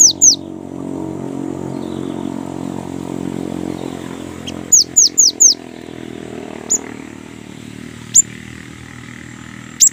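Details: Lure recording of a young great tit singing persistently: a quick burst of four high, steeply falling whistles mid-way, then single spaced notes, over a constant background hum.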